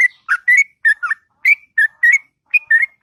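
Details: Morning song of a sooty-headed bulbul: short bubbly whistled notes, some rising, some dipping, in quick pairs separated by brief gaps.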